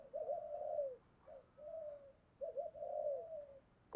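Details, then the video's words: Spotted doves, male and female, calling to stimulate others: soft, drawn-out falling coos in two main phrases with quiet notes between, ending in a sudden loud sound. "chim cu gáy thúc gù giọng hay/ cu cườm gáy bài bản"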